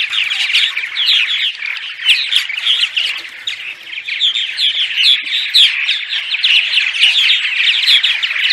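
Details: Daytime chatter of a purple martin colony, used to attract scouts and sub-adults to housing during migration; many birds overlap in a steady gurgling, warbling chorus with scattered high squeaky notes throughout.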